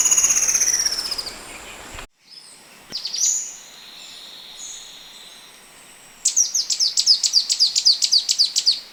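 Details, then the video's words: Wild Oriental magpie-robin giving a tembak-type song: a loud, sweeping high whistle falls away, followed by a short gap, scattered thin notes and a quick warble. It closes with a loud series of sharp, repeated chirps, about three per second. "KACER 001 Suara Asli Rekaman Alam Liar Untuk Kacer Tipe Tembak"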